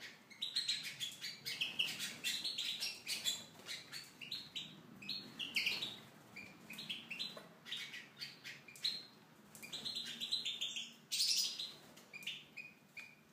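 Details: Caged Tunisian goldfinch in an aviary delivers a long, continuous stream of quick, high, chattering notes and trills, pouring out almost without pause, with a louder burst toward the end.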